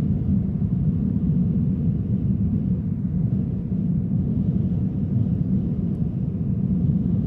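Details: Continuous deep outdoor rumble, like distant traffic or an aircraft, with no animal calls.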